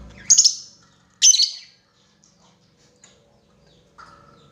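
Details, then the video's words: Lovebird challenging a rival in a lure recording of 'ngekek' chatter: two sharp, shrill screeches in quick succession, then near silence broken by a faint chirp. "SUARA BURUNG LOVEBIRD MEMANGGIL LAWAN,PANCINGAN LOVEBIRD NGEKEK PANJANG"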